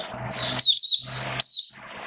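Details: Caged Oriental white-eye on a wet rainy day, 29 September 2022: a short high warbled phrase with sharp sliding notes, over a low rumbling background hum.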